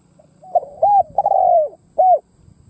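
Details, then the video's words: Decoy spotted dove cooing to attract wild doves. A soft lead-in note is followed by a husky phrase with a long, wavering, falling coo and one final clipped coo. "Tiếng cu mồi đất gù gáy kích bổi"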